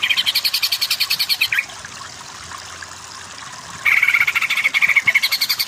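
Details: Training recording of greater green leafbird (cucak ijo) for birds lacking power, aimed at kejer singing; two bursts of rapid, high, pulsed trilling, several notes per second, separated by a quiet gap of about two seconds.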